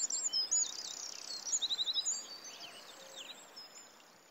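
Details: Red-footed falcon at a nest, Polgár, Hungary: high, thin squeaky chatter with a quick run of sharp repeated ticking notes midway, against a steady rural hiss.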